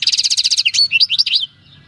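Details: European goldfinch captured in the wild in 2018 giving its natural field song: a fast even buzzy rattle of repeated notes flowing into a few liquid slurred twitters before falling silent.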